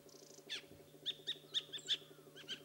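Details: Black bulbul: a series of short, sharp, squeaky notes, each a quick downward-slurred chip, given in an uneven run of about eight calls over a steady low mechanical hum.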